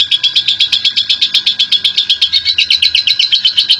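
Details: National champion lovebird giving its long chattering ngekek panjang song: a rapid, even run of sharp, shrill chattering notes, about four per second, held steady throughout with no pause and no other sounds.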